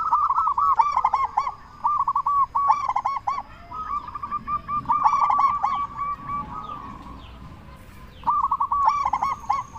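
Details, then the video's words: Loud-voiced local zebra dove calling to get other zebra doves to answer: repeated bursts of fast, stuttering coos, about five phrases, separated by brief gaps and a softer trill. "Perkutut Lokal Gacor SUARA BESAR Ahlinya Bikin Semua Burung Perkutut Langsung Nyaut"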